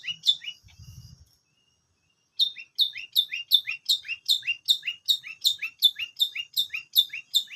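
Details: Long-tailed shrike repeating a short, sharp, downward-slurred two-part note roughly three times per second in a steady run, after a brief opening phrase and a soft low thump.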